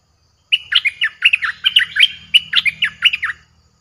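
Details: Streak-eared bulbul song played to lure wild birds, a fierce-sounding phrase of about fourteen quick, bubbly whistled notes in one three-second burst, dropping and rising, against a faint low hum.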